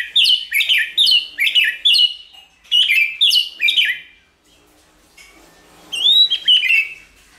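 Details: White-rumped shama song meant to excite and train shamas: about ten quick, loud, down-slurred whistled notes in two runs, then silence and a final looping whistle with warbled notes.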